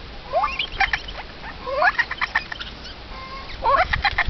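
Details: Eurasian jay giving a run of rising, harmonic squealing notes, each sweeping upward, interleaved with harsh clicking bursts; loud and close over constant low hiss.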